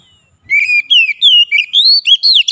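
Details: Loud, fast song of an Oriental magpie-robin, locally called kacer: a rapid chain of slurred, whistled notes stepping upward in pitch, about eight notes in two seconds.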